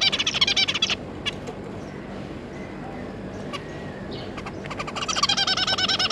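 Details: Zebra finch pair with their three juveniles, recorded 9 June 2022: a burst of rapid nasal chattering at the start, a quieter middle with a few scattered short calls, then another fast nasal chatter run at the end.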